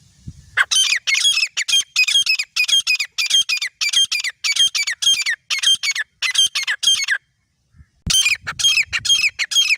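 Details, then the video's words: Calls of a partridge pair, the grey teetar, prepared as a clear hunting lure: rapid harsh, metallic squawking notes roughly twice per second, with a short silent break near the end before the series resumes. "Final Sound of Partridge Pair | شکاریوں کی پسندیدہ آوازیں | Clear and Filter Hunting Sound"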